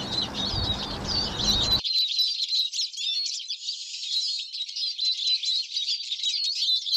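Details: Eurasian siskin song, a continuous fast twitter of squeaky, trilled and buzzy high-pitched notes with wheezy slurs, steady throughout; faint low background noise in the opening two seconds.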